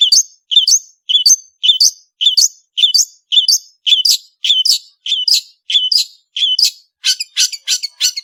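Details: Long-tailed shrike (cendet) in full song: a steady series of sharp two-part chirps, a low note flicking up to a higher one, about twice a second, ending in rougher, noisier notes.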